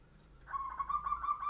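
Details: Morning zebra dove song meant to draw replies from other birds: after a quiet start, a bubbling trilled coo begins and keeps rolling to the end, pulsing rapidly at an even pitch.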